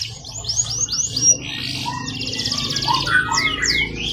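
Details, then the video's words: Canary singing as a tutor recording: a burst of four descending chips, a buzzy note, a fast trill, then looping whistled sweeps, over a low steady hum. "SUARA BURUNG KENARI GACOR COCOK UNTUK MASTERAN"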